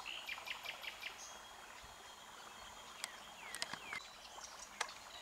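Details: Red-backed shrike (Lanius collurio): a quick run of short, high chirps repeated at a steady pace, then a few downward-slurred notes later on. The calls are faint against a constant background hiss.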